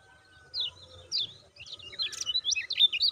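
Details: A lemon-bellied white-eye gives thin, high chirps, a few spaced notes at first, then a quick, dense run of twittering 'ciak' calls, used as a lure recording to stir caged birds into song; a faint steady hum underneath.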